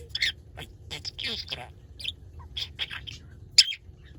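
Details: Pet budgerigar, paralysed in both legs, reacting to a washing machine's melody: scattered short sharp chirps and warbled chatter at irregular intervals, one louder squeak near the end, quiet indoor background.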